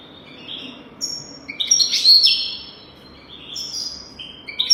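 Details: European goldfinch singing, a recording meant for training young goldfinches: rapid tinkling twitters and a dense buzzy burst in the middle, followed by shorter high chirps.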